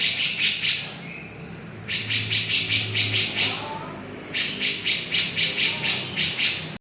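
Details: Javan grey-cheeked bulbul in full, vigorous voice: three bursts of harsh, rasping chattering notes, each a rapid run of about five to seven strokes, with a low hum in the background.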